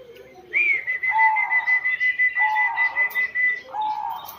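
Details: Caged zebra dove of the banyumili katuranggan type, kept about six years, singing vigorously and said to answer when called: a steady high whistle runs over rapid pulsed cooing beats, with lower rounded coos recurring about every second.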